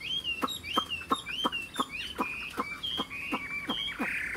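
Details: Tame caged Chinese hwamei with a fanned tail giving short, clear slurred whistles, repeated with sharp clicking taps about three times a second.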